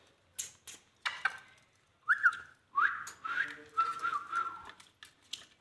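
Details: Ring-necked parakeet talking: a few short sliding whistled notes, then drawn-out tonal, voice-like phrases with clicks and soft noises between them, in a quiet indoor setting.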